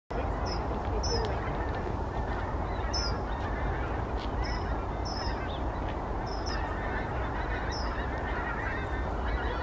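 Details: Skein of wild Canada geese flying over Chat Moss, Irlam, UK, on 3 November 2020: scattered high, nasal honks at irregular intervals, distant and thin above a loud, steady rumble of wind or traffic.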